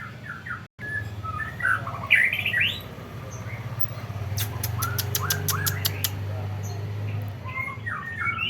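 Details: White-rumped shama in a cage singing short whistled phrases, followed by a run of about ten quick sharp ticking clicks and more rising whistles, over a steady low engine-like hum.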